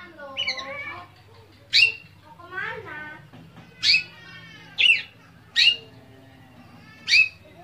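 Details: Caged Oriental magpie-robin singing a full song of imitated phrases, meant to set other magpie-robins singing; sharp downward-sweeping whistles spaced about one second apart, separated by softer scratchy warbles.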